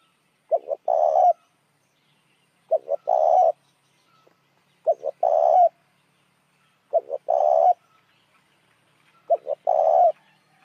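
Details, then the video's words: Repeated spotted dove lure call to attract other doves: five steady phrases, each two short low notes followed by a sustained hollow coo, recurring about every two seconds against silence. "tiếng chim cu gáy kích mồi"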